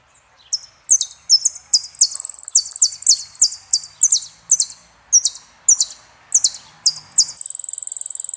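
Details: Saffron finch (jilguero argentino) delivers a long string of high, piercing, downslurred chirps in quick succession, some doubled, finishing with a fast, level, high trill.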